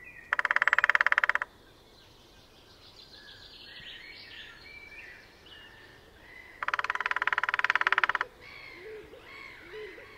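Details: Displaying lesser spotted woodpecker on territory at Sandemar Reserve, Sweden, early on a sunny morning, parabola recording: two fast drum rolls about five seconds apart, the second slightly longer, with other songbirds whistling and chirping in the gaps.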